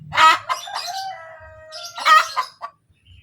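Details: Hen cackling after laying an egg, a 'kotek kotek' call: two loud harsh squawks framing quick clucks and a long, thin, drawn-out tonal note, with low faint rumbling beneath.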